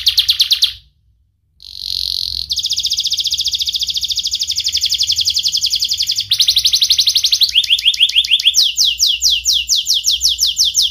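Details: Young, sharp-voiced canary sung as a lure so juvenile canaries learn their song and lazy ones start singing: a rolling trill breaks off, resumes as a long rapid rattle, then changes into faster sweeping note series, ending in clipped upward slurs.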